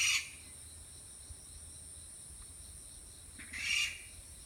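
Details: Okinawa rail calling in alarm, wary of the camera, unseen though close by: two short harsh, buzzy bursts about three and a half seconds apart, the second longer, over a steady high hiss and faint low rumble.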